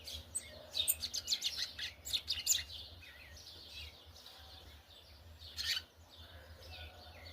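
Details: Brown Yellow-bellied Seedeater in churrio: a quick series of high, sharp twittering notes in the first seconds, a pause, then one more burst, over a low steady hum.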